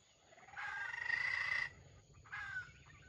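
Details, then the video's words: Bait bird in a wild junglefowl trap giving a grinding, stuttering crow: one long rasping burst, then a shorter harsh fragment over faint background hiss. "The bait of the wild chicken trap crows with a stuttering voice that sounds like grinding"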